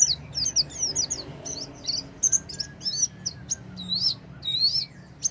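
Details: Oriental white-eye song aimed at making a silent white-eye sing: a varied, rapid warble of high twitters and looping whistled notes, lively and continuous.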